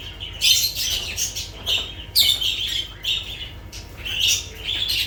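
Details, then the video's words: Lovebirds giving harsh, screechy, high-pitched bursts, some rasping and some squeaky, in uneven runs about every half second to a second, with a steady low hum underneath. "Sounds of lovebirds"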